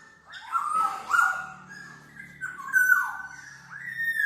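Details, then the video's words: Black-naped oriole for tutoring and lure use: overlapping nasal, slurred notes that rise and fall, bright whistled peaks repeating roughly every second, a low hum underneath. "SUARA BURUNG KEPODANG MAS, untuk masteran/pikat"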